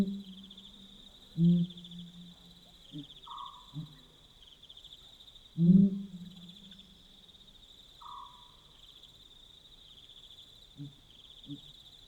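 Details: At night in Botswana, a Pel's fishing owl gives deep, booming hoots, two strong ones about four seconds apart with low trailing tones and softer short hoots after. A shorter, higher descending note and constant cricket-like insect hum accompany them.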